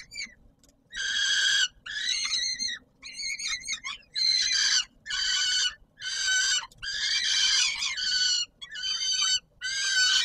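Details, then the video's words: Peregrine falcon at the Palace of Culture and Science in Warsaw, Poland, on 17 July 2022, calling at supper time: harsh, raspy, harmonic wails in bursts of about half a second to a second, nine or so across the recording with short gaps. "Sokół wędrowny PKiN Warszawa - Chłopaki wstawać kolacja"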